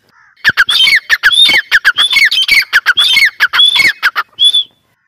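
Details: Male grey francolin (Ortygornis pondicerianus), about 14 months old, a white-bloodline whistling bird, gives a loud, shrill run of about a dozen ringing whistled phrases over four seconds, ending in a higher whistle.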